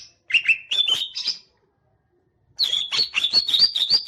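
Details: Green leafbird singing with its tail fanned: a rising series of quick chirps, a silent pause of about a second, then a fast run of repeated chirps and warbled whistles.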